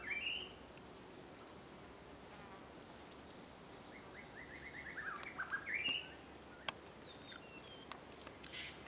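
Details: Olive-backed pipit (Anthus hodgsoni) in Chiang Mai, Thailand, giving thin high slurred call notes with a quick run of short rising and falling notes midway, over a steady hiss.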